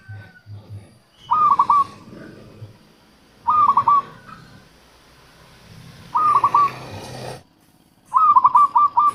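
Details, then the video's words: Local zebra dove song used as a lure to attract wild doves and to prompt quiet doves to sing: four soft, rolling cooing phrases of quick stuttered notes, each about a second long and spaced two to three seconds apart, with low background rumble. "suara perkutut lokal untuk pikat dan pancingan"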